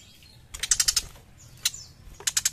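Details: Young tiger shrike singing actively: a fast grating run of pulses, a single sharp note with a downslurred whistle, then another quick rasping series.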